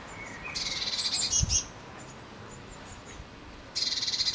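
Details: Blue tits at a nest box in May 2020. A harsh, buzzy churring burst lasts about a second, then a second buzzy burst starts near the end, with a soft thump between them.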